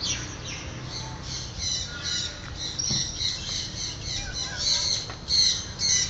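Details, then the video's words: Macaws flying free in the morning, a run of harsh broadband squawks repeated irregularly, loudest near the end, with a faint low background hum. "Macaw free flight in the morning"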